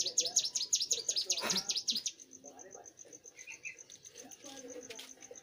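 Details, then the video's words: Young bar-winged prinia in lively song: a run of rapid high sharp chirping notes, repeated quickly for two seconds, followed by a steady thin high ticking, with other birds chattering lower and background noise. "prenjak gunung muda gacor"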